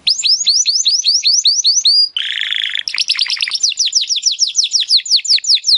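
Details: Timbrado canary training song to help canaries sing better: long series of rapid descending chirps, a brief low buzzy roll, then more fast repeated downslurred notes continuing steadily.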